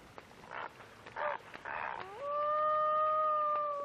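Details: Common loon, an adult male defending chicks from a possible snapping turtle while beating his wings frantically in the water; splashing bursts followed by a long, steady, pure wailing note with a quick upward bend at its start.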